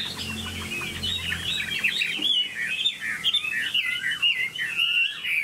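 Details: Chinese hwamei in a cage delivering a flowing, rich song of looping whistled notes and warbles, rising and falling, roughly two phrases per second, after a brief low hum at the start.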